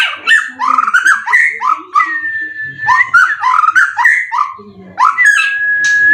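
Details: White-rumped shama in contest condition, singing a stream of rising, slurred whistled phrases in quick succession, interspersed with a long, steady, clear whistled note.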